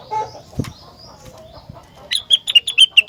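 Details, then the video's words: Rengganis, a bird said to make other rengganis sing back: after soft rustling and a thump, a fast run of six or seven sharp high chips in the last second. "Burung Rengganis Lain Ikut Gacor Jika Dengar Suara Rengganis Super Gacor Ini"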